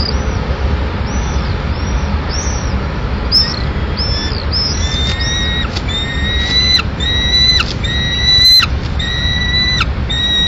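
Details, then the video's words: Peregrine falcon nest in Madrid, May 2016, with the mother bringing a pigeon for the chick; soft arched chirps at first, then sustained shrill whining calls repeated about every second, with a few sharp clicks and low rumble. "Paloma para el pollito solitario_Halcón peregrino"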